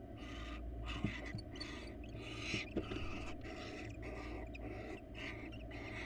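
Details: Wild barn owls at a nest box during a rat handover between male and female; a dense run of rasping, overlapping hisses of uneven length and loudness, some faint knocks, and a constant low hum behind.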